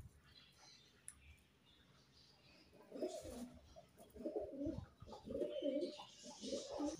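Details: Pigeons in a cage with their young, after a quiet start: a run of soft, low, rolling coos in uneven bursts, with faint high chirping behind them.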